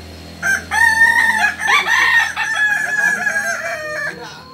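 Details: Kukuak Balenggek chicken, a breed endemic to Solok in West Sumatra, crowing at a joint practice event: one loud, extended crow made of several stepped, ringing syllables lasting about four seconds, with faint chatter behind.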